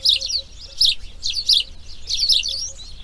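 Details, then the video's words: A burst of harsh, raspy chick calls from a grey heron nest on the second day of breeding, with overlapping rapid notes, about eighty a minute. "RELAX SONIDOS IMAGENES NATURALEZA | Garza real (Ardea Cinerea) Crianza Dia 2| Grey Heron Breeding"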